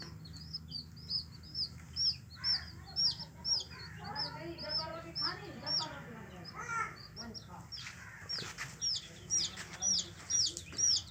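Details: Yellow hen chicks chirping: thin, high, downward-sliding peeps repeated about twice a second, with murmuring voices and other low sounds in the middle of the stretch.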